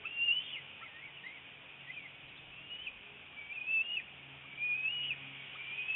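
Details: Nest camera in northeast Florida, morning of 25 February 2018: an adult female bald eagle arrives with a fish and feeds her chick; repeated high, slurred whistles and short chittering notes, louder toward the end, over soft background hiss.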